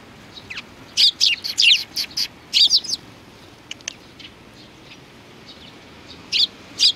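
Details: Several sparrows, recorded on 29 May 2019, give short high chirps in scattered bursts, some paired, with quiet gaps between them.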